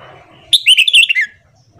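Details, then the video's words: Red-whiskered bulbul singing its morning song, used to stimulate newly caught birds; one crisp, loud phrase of five or six fast warbled notes gliding downward, with near silence around it. "Luyện Giọng Chào Mào Hót Sáng Kích Chào Mào Bổi"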